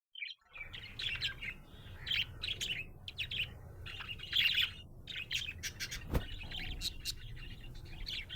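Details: Happy budgerigar chirping: a steady stream of bright, scratchy warbled chirps and clicks in quick bursts, with short pauses, one sharp click near the end, over a low background hum.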